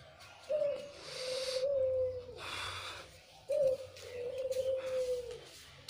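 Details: Barbary dove with white plumage and red eyes, a lure bird, repeating long level coos about every three seconds. Each opens with a brief sharper note before sliding into a sustained, gently falling hum. Soft background hiss.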